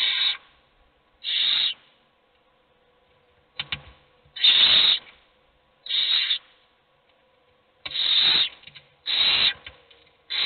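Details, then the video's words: Several hungry owl chicks in a nest box beg with breathy hissing screeches, bursts of under a second arriving irregularly, some overlapping or close together, with light scuffling sounds. "Todos los polluelos tienen hambre, pero sólo come uno."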